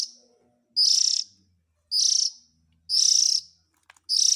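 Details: Oriental magpie-robin chick calls, used as a lure to draw in adult birds: four harsh, buzzy rasps about half a second long, high-pitched and noisy, spaced roughly a second apart, with faint low murmurs between them.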